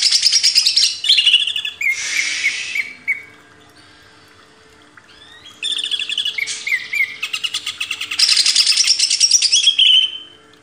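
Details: Greater green leafbird master song for cage-bird training, bursts of high chattering trills and buzzy phrases separated by a pause of a few seconds, then a long dense warbling stretch.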